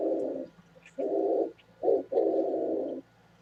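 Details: Oriental turtle dove recorded 27 January 2017, uttering low rough coos: a short note, a longer one, a clipped note and a long drawn coo, with soft distant bird chirps and low hum behind.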